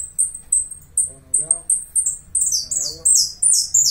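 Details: Saffron finch from Uruguay singing: a run of sharp, very high whistled notes about twice a second, building into rapid buzzy descending slurs, with a brief lower warbling sound partway through.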